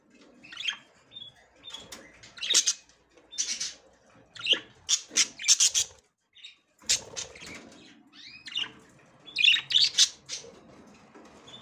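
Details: Female budgerigar ready to breed, making her first attempt to enter the nest; loud, raspy, high-pitched chirps in irregular bursts, some quick series, separated by brief silences.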